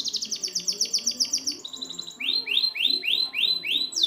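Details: Canary training song for birds that won't sing: rapid high trill, then a run of rising, looping swept notes repeated about three times a second.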